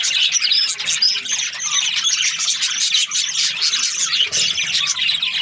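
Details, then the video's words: Many budgerigars from breeding pairs chirp together: busy, high-pitched twittering and short squeaky notes layered continuously, with a soft low hum in the background. "Budgies parrot chirping sounds"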